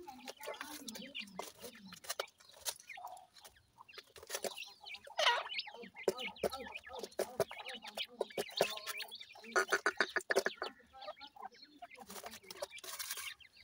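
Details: Grey francolin chicks calling: many short, sharp chirps and peeps in quick irregular bursts, overlapping one another, with soft low clucking between.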